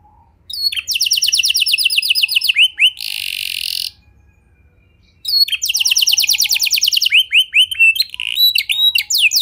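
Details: Canary singing, used to coax other canaries into song: bright, high, rapid trills of repeated notes, a harsh buzzy burst, a short silence, then more fast trills and sweeping whistled notes.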